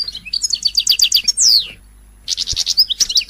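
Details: Goldfinch song meant to excite singing, quick series of chirped twitters ending in a long descending slurred whistle, a brief pause, then further rapid tinkling notes.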